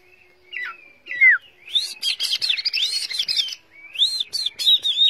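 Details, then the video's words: Caged, tame Chinese hwamei singing as its cage is carried: high whistled notes that swoop up and down in varied phrases, with short pauses and some scratchy noise in the background. "Hm 2017 - Chim thuần hót cực tốt - Sách lồng hót"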